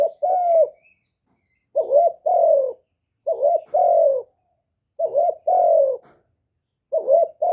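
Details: Spotted dove kept as a decoy bird, cooing to rouse newly kept or quiet captive doves; low mellow two-note phrases, a short clipped coo followed by a longer drawn-out descending coo, repeated about every one and a half seconds in a quiet setting.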